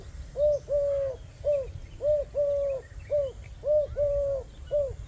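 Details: Dove in a village setting, sitting calmly while eating grains, giving soft low coos: short rounded notes alternating with longer drawn-out ones in a steady repeated pattern, about eleven notes, with faint chirps of other small birds behind.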